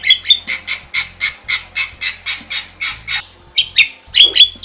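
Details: Starling (jalak) in energetic song meant for tutoring other birds: a steady series of about a dozen short, harsh, buzzy notes at an even pace, then a few sharp whistled squeaks, over a quiet low hum.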